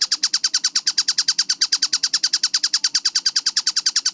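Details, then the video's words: Kingfisher called tengkek buto, in a fast, clear masteran from 4 August 2026: a quick, even burst of hoarse, grating notes, slightly over three a second, repeated without a break over near-silence. "MASTERAN TENGKEK BUTO GACOR SUARA JERNIH SPEED RAPAT"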